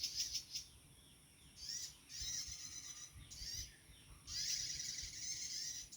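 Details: Prinia (prenjak tamu) calling in the wild, where the birds are still plentiful: several short bursts of shrill, buzzy trills with scratchy chattering notes, the longest burst at the end, over a low rumbling background.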